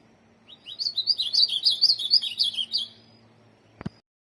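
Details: Song phrase from a tournament ultramarine grosbeak: rising lead-in notes, then a lively cascade of high warbled syllables for about two seconds, ending in silence broken by a single sharp click.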